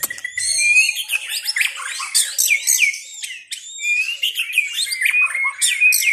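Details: White-rumped shama singing a rich, varied stream of loud whistles, sweeping slurs and rapid trills, phrases changing every second or so, with no other sounds.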